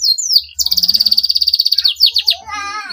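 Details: Canary in full, long song meant to provoke rival canaries into singing: a fast run of high, evenly repeated trilled notes, then quick descending chirps and a softer warbling phrase at the end.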